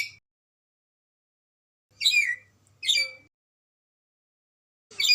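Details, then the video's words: Red lory from Ambon uttering a few short, sharp, metallic squawks spaced about a second apart, with long quiet gaps between. "NURI RED LORY AMBON SUPER GACOR"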